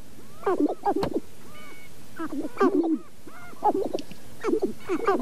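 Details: Sharp-tailed grouse in northern Wisconsin's Namekagon Barrens, filmed with a Canon 5D Mark II and two Sennheiser ME67 microphones: repeated bursts of low cackling clucks roughly every second, with soft whining notes in the gaps.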